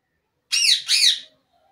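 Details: Indian ringneck parakeet calling: two harsh, harmonic-rich squawks in quick succession, each about a third of a second, with no other sounds around them.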